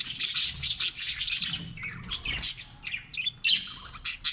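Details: Caged green budgerigars produce dense, high, buzzy chattering and squawks in rapid irregular pulses, with a brief pause midway before the bursts resume.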